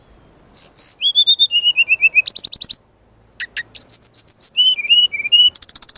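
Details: Brown-chested jungle flycatcher training master song: a busy run of sharp high chips, descending whistled notes and fast buzzy trills, with one short silent break midway.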